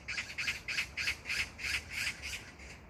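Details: Rattling magpie chatter, Jangdumot park, Gyeyang-gu, Incheon, South Korea, 19 June 2022: about ten grating notes delivered at an even, fast pace, loud and close, with little else audible.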